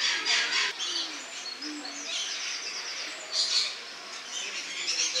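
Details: Lorikeets, filmed in August 2015, give harsh, shrill screeching chatter in overlapping bursts, with a few soft, low cooing notes underneath.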